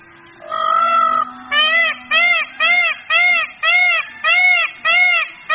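A peafowl gives one drawn-out nasal wail, then a rapid series of eight loud, ringing, arched honks about every half second. No other sounds stand out.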